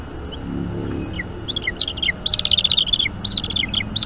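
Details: Young bald eagle at a Northeast Florida nest, filmed by nest camera on a May 2021 evening, begging during a feeding; sparse high notes build into rapid, stuttering whistled chatter, with a low background drone.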